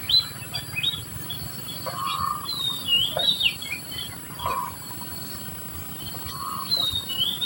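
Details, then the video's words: Society finch feeding its young; the young beg with thin, high chirps and squeaky slurred notes, irregular and overlapping, over a steady background hiss. "the Socety finch is feeding its young"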